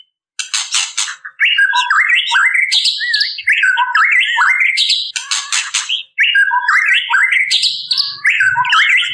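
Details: Female white-rumped shama calling males: repeated harsh rattling bursts alternating with twisting whistled phrases, cycling through the clip, with faint low rumble near the end.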